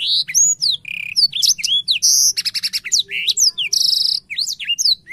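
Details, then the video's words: Excited blackthroat song with opened wings: loud, sharp whistled slurs alternate with harsh, evenly pulsed buzzy rattles, the phrases tumbling out rapidly one after another. "Burung blackshot gacor sampai buka sayap"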